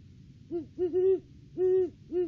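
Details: Nest-tree visit by a Great horned owl pair in December, the off-season: a hoot series with a short note, two long level hoots, a drawn-out hoot, and a final shorter one.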